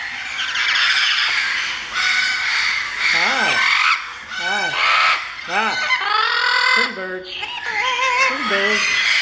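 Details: Captive parrot at a parrot sanctuary singing loudly: a run of swooping whistles that rise and fall, repeated pitch-bent notes and harsh, squawky tones, with a human voice close by.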